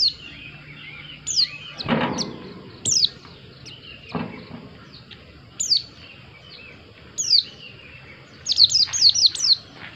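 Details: White-eye singing thin, high downward-sweeping notes in separate bursts every second or two, ending in a quick run of chirps; two dull knocks sound in between.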